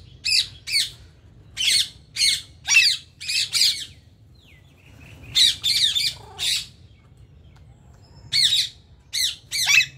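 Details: Ring-necked parakeets in India; harsh grating squawks come in spaced groups of two to four, with a faint whistle between bursts and a low hum throughout.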